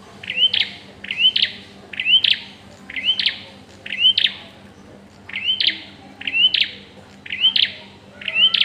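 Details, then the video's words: Bar-winged prinia at the pairing stage, giving short bright chirping notes with a quick rising flick, repeated in clusters roughly once a second over steady low background hum. "Burung prenjak tahap penjodohan"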